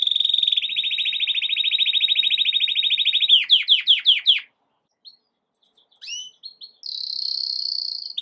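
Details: A canary sings a powerful song meant to teach young birds and stimulate females: a long rapid trill, then a run of sweeping rising notes and bright chirps.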